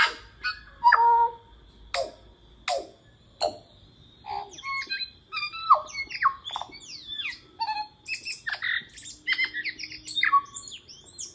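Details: Tui from New Zealand giving a loud, complex, highly varied song: sharp clicks, bell-like bongs, liquid whistles, gurgles and slurred upward and downward notes in quick bursts separated by short gaps.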